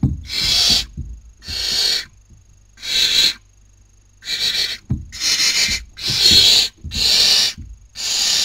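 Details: Barn owl owlets on a webcam nest in Cabañeros National Park, Castilla-La Mancha, Spain, 2019 breeding season, as one chick grabs her sister's dinner. Eight harsh, breathy hisses in quick, uneven succession, with faint low thumps beneath.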